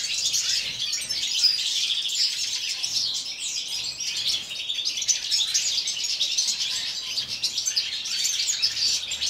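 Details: European goldfinches singing in an aviary on a freezing winter day at minus four degrees, producing a steady, high-pitched jumble of chirps, twitters and short trills from several birds.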